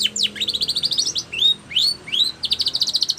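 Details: White Spanish Timbrado canary singing a training song: fast downward-sweeping notes, then rising slurred whistles, broken by rapid pulsed trills held high and bright.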